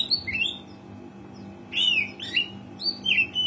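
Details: Kacer, the oriental magpie-robin, gives a few high whistles, then after a quiet gap a burst of loud, rich slurred phrases that rise and fall. A faint constant hum lies underneath.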